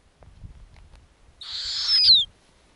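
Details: Nestling snowy owls in the Arctic, fed lemmings by their mother. Soft low rustling and shuffling, then one rough, hissy screech swelling louder and ending in a descending whistled tail.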